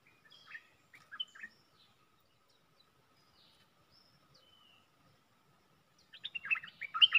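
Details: Caged red-whiskered bulbul used as a decoy for luring: a few short, twittering notes open, then a quiet gap with faint thin whistles, before a louder run of rapid chirping notes closes.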